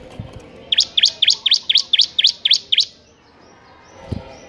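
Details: Nine crisp, high notes from a bar-winged prinia repeated rapidly and steadily in a ngebern gacor burst, each a sharp V-shaped chirp, then quiet with one low knock near the end.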